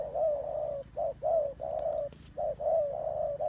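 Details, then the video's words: Turtle doves fighting: dense, nearly continuous low rolling coos with short breaks, loud and close. "God dove Fighting"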